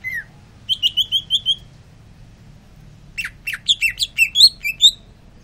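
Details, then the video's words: Greater green leafbird, kept bird singing busily while cooling off after sunbathing: a short falling note, then a run of rapid high chirps around 0.7–1.5 s, and a second burst of varied, bouncing sweet notes from 3.2 s. "Cucak ijo rajin bunyi"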